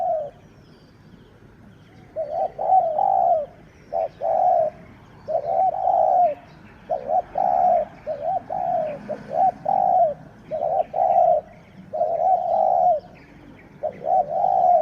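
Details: Captive spotted dove, the sixth decoy, calling during luring of wild birds: a steady series of low, rounded cooing notes, each about half a second, repeated with short gaps, over faint outdoor background noise.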